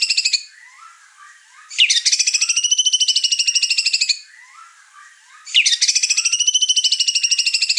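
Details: White-rumped shama, over-excited and unloading its song repertoire, stirring up the other birds in the house: two bursts of rapid, rattling, high trilled notes lasting about two seconds each, separated by softer, lower chattering notes.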